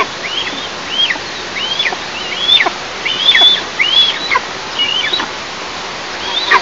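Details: Eastern imperial eagle nest, recorded by a nest camera in an oil and gas producing area on 11 July 2024. Fairly soft, high, downward-slurring whistles repeat at irregular intervals of roughly one second.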